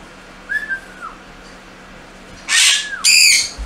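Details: A turquoise-fronted amazon (Amazona aestiva xanthopteryx) gives a clear, falling whistle, then two loud, harsh, grating squawks about half a second apart. A person speaks softly just before.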